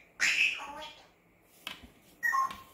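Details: A pet grey parrot screaming so as not to be forgotten gives a loud, harsh screech lasting about half a second, then a shorter whistled squawk two seconds later, over quiet room noise.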